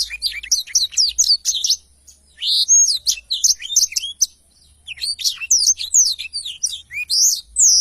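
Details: A black-throated canary delivers tutor song for training songbirds: rapid high chirps and twisting whistles in three long bursts with brief pauses, a clear whistled note standing out midway.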